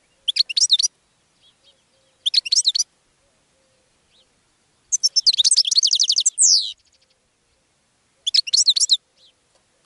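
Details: Goldfinch singing to attract other birds: two short twittering bursts, then a longer fast run of chirps ending in a slurred descending note, another burst after a pause, and faint high ticks in between.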